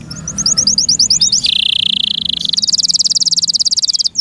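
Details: Caged canary kept by its owner singing loudly: a quick series of high chirped notes, then a steady buzzy mid-pitched trill, switching to a fast, very high rapid trill of rhythmic pulses before a brief sharp note at the end.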